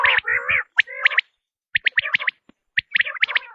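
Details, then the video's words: Hunters' tested quail lure sound: warbling harmonic trills at the start, then clusters of sharp, high, clipped whistled notes separated by a silent pause. "بٹیر کی آزمائی ہوئی آواز ۔ | Quail Tested Sound | Batair ki Awaz"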